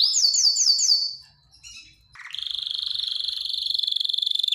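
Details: Canary singing to stimulate females before mating: four quick descending swept notes, a short gap, then a low burst that lifts into a steady, fast-pulsing high roll.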